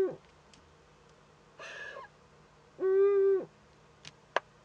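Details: Eurasian eagle-owl at a nest in northern Rhineland-Palatinate, Germany, on 15 May 2013, as an owlet makes first contact. A breathy rasp, then a loud, tonal, drawn-out nasal note with rich overtones lasting half a second, followed by clicks.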